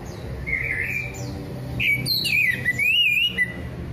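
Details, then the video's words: Relaxed, loud orange-headed thrush song, used to coax silent birds into singing: clear, wavering whistled phrases rising and falling, with a brief burst of sharp chattering notes in the middle, over faint low background hum. "Anis merah gembling ngeplong santai"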